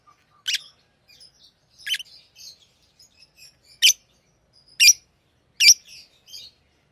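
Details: Tamed pet lovebirds chirping: five loud, piercing, high chirps about a second apart, separated by quieter buzzy twittering notes, with no other sounds in the background.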